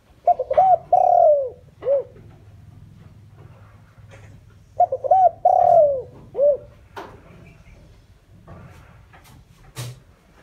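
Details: Decoy spotted dove calling to lure wild doves, two phrases about five seconds apart, each of quick coos, a drawn-out falling coo and a clipped end note, with faint clicks after.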